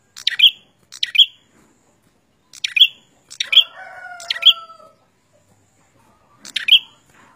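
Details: Prenjak (prinia) in lively gacor song: bright, high chirped notes repeated irregularly about once a second, with a lower drawn-out whining tone overlapping two notes midway.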